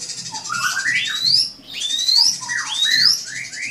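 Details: Drongo song aimed at a rival, long slurred whistles gliding steeply upward with lower dipping notes between, over a steady hiss and faint low thumping.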